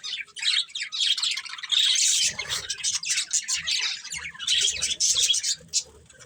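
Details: A family of budgies chirping together: a dense, continuous chatter of overlapping warbling and twittering notes from several birds, with low rumbling background noise.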